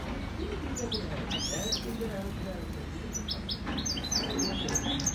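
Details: Maknin, the European goldfinch, from Skikda: scattered high chirps and short twittering phrases, growing busier toward the end, over a faint low background hum.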